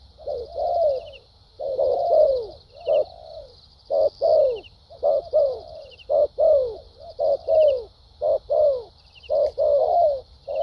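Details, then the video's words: Decoy spotted dove with a fine voice cooing in thúc gù and lèo dặm styles. Low hollow coos come in paired and grouped phrases, longer notes sliding downward, with pauses between bursts and a constant high-pitched buzz behind. "Đồng tốt tiếng bài bản.clip 870.nết chơi thúc gù,lèo dặm quá hay"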